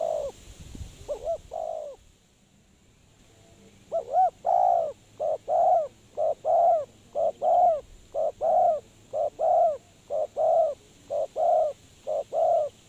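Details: Spotted dove used as a trapping lure, opening with a few coos over brief noise, then a steady run of short double notes and longer coos repeated about once a second.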